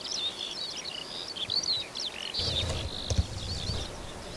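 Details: Eurasian skylark singing over farmland near Berga/Elster, Germany: a continuous run of high, rapid chirps, trills and short whistles, with low rumbling noise beneath in the second half.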